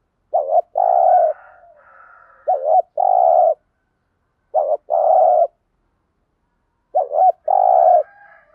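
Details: Spotted dove; coo; used to stimulate decoy doves to coo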